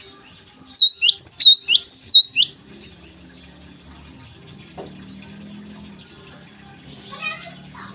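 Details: Morning song of a Java sparrow: a fast burst of about eight loud, high, ringing down-slurred notes in two seconds, followed by quiet with faint distant chirps.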